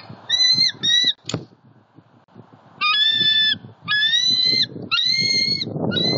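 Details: Wild bald eagle pair, male and female, bonding at their nest in Southwest Florida on an October 2019 morning: series of high, thin, harmonic piping notes in short runs, slightly descending, with pauses between bursts and faint background rustle.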